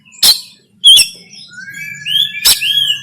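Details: Oriental magpie-robin in Banten, Indonesia singing 'konslet tarung' fighting song, recorded by phone to train birds: sharp explosive notes spaced about a second apart between thin rising and level whistles.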